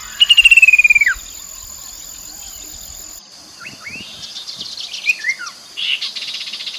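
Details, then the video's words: Chestnut-capped babbler lure sound from the Mekong riverside in Nakhon Phanom, Thailand, 2021: one rapid stuttering trill sliding down at its close, then quieter scattered chirps and short upslurred notes over light background noise. "นกกินแมลงกระหม่อมแดง Chestnut capped babbler sound"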